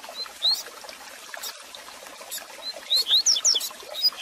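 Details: Double-collared seedeater song for warming up and teaching a caged male: faint scattered upslurred whistles, then a short fast burst of rising and falling whistled notes near the end, over steady hiss.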